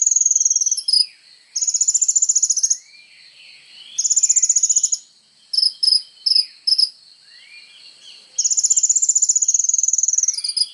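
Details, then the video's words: Kolibri ninja sunbird singing energetically for songbird training: extended shrill buzzing trills alternating with clusters of short sharp high chips and brief pauses. "SUARA BURUNG KOLIBRI NINJA GACOR FULL TONJOLAN"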